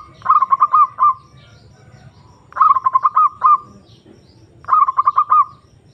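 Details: Perkutut, the zebra dove, calling a rival to rouse its mood and breeding drive: three clipped bursts of staccato coos, each ending in a drawn-out note, about two seconds apart over low background hum.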